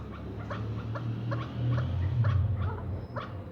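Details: Captive first-cross male chukar partridge, ten months old, kept for breeding, giving short harsh chuck notes repeated about every half second over a steady low hum.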